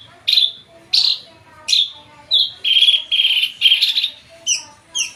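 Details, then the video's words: Drongo (srigunting) singing vigorously: sharp, clear whistles with downward slurs spaced under a second apart, then a run of sustained warbling notes before short chirps resume. "burung srigunting gacor full"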